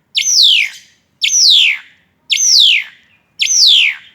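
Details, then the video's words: Four loud descending notes from an Asian pied starling singing hard while tripping, each a strong high onset sliding lower, spaced just over a second apart. "JALAK SUREN GACOR SETENGAH MATI SAMBIL TRIPING"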